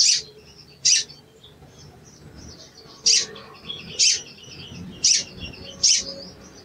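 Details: Sooty-headed bulbul calling cuit cuit as a lure to provoke a silent bird: six piercing high chips, roughly one per second after an early pause, over faint background twittering.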